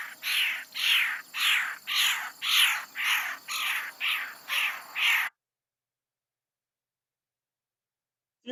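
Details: Red-headed Woodpecker in DuPage County, predominantly a summer resident there, giving a series of about nine harsh, rolling single-note calls, roughly two per second, high and burry, then silence.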